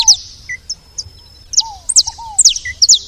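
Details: At a feeder, saffron finch chirps come as bright, high, quickly falling notes in small bursts, with softer, lower arching whistles between them and a faint low rumble beneath.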